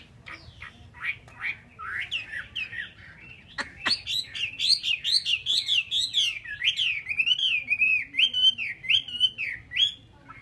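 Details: Chinese hwamei, a kept songbird, in a long loud song: a few opening notes, a sharp click, then a steady chain of looping, wavering whistles repeated about twice a second, rising and falling in a zigzag pattern.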